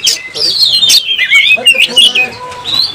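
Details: An agitated kacer, or oriental magpie-robin, sings while fighting and fanning its tail. Its song is a flowing string of clear, falling whistles with short harsh notes mixed in.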